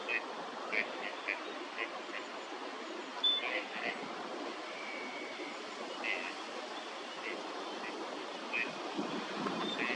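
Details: Gadwall (Mareca strepera), a winter visitor, among ducks at a park pond in Chiba, Japan, December 2025, giving short nasal calls at irregular intervals, some in quick pairs, over a steady rushing background like water or distant traffic.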